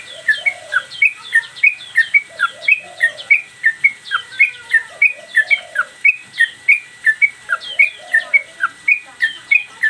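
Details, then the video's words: Sooty-headed Bulbul in a cage, singing hard in 'gacor' style for a training master: dense fast whistled notes, rising and dropping, with lower warbled sounds from another bird mixed beneath. "Trucukan gacor mbandul satu lagu main ekor dan Garuda cocok buat masteran"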